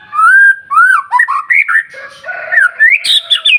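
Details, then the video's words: White-rumped shama song for provoking rival shamas to sing: rich fluty whistles rising and falling, short looping phrases, then a lower buzzy note beneath and sharper high notes at the end. "murai batu gacor SIANG MALAM GACOR TERUS, Cocok Untuk Memancing Emosi Burung Murai NGELOWO"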